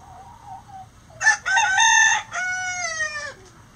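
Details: Before dawn, with the flock flying out of the coop, a soft low note precedes a rooster's full crow: a harsh opening burst, a strong sustained middle section, then a long note sliding gently downward.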